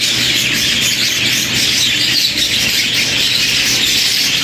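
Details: A dense, unbroken chorus of budgerigars in a breeder's aviary in England in winter, show birds not yet paired: high, scratchy chirps and warbles overlapping without pause, with a faint low hum behind.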